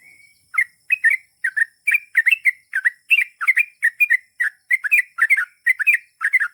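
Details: Sooty-headed bulbul in lively 'gacor' form singing the long rapid 'ropel panjang' style: bubbly, fluty two- and three-note phrases repeated in quick succession about every half second, with a steady faint high whine behind.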